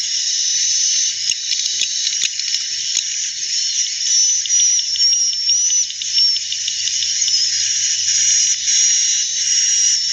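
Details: Edible-nest swiftlets, presented as their original, not noisy call that draws many birds to roost: a dense, continuous high chatter of overlapping thin buzzy chirps, many birds calling at once, steady throughout.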